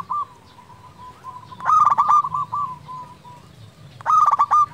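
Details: Lure recording of a local zebra dove singing constantly to stimulate quiet doves: faint cooing, then two loud rolling, stuttered phrases about two and a half seconds apart.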